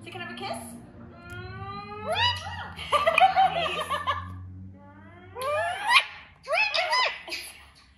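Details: Kiwi, a green Indian ringneck parakeet (Psittacula krameri manillensis), talks in high, squeaky, speech-like bursts after a long, drawn-out tone, indoors; a person's voice and a low indoor hum are also heard.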